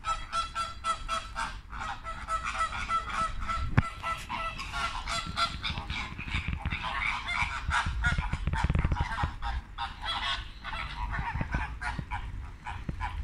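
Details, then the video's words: Flamingos watched on a late Thursday afternoon, a dense flock chorus of nasal, goose-like honks overlapping continuously, many birds calling at once with rapid irregular repeats and a low background rumble. "Watching (and listening to) the Flamingos"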